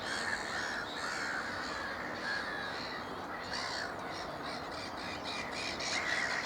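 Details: Noisy young black-headed gulls at Upton Warren's Moors Pool, Worcestershire, UK, June 2019: rapid, scratchy squawks tumbling over one another in fast, uneven runs, amid constant colony clamour.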